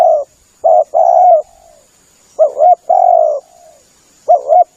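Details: Spotted dove call for luring birds, a soft two-note coo phrase ending in a long trailing coo, repeated three times with short quiet gaps and a thin high background tone.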